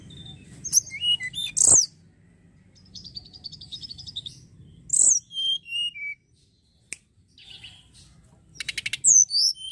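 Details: Snowy-browed flycatcher song, a lure meant to stimulate singing: scattered thin high whistled phrases and slurred notes, a soft buzzy trill, and a closing rapid series of sharp chips, with brief clicks and a moment of silence.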